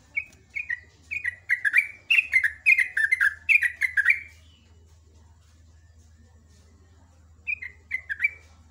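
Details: Yellow-vented bulbul singing busily in the morning: a run of short bright descending chirped phrases, quickly repeated for about four seconds, a pause, then a few more chirps, over a low steady hum.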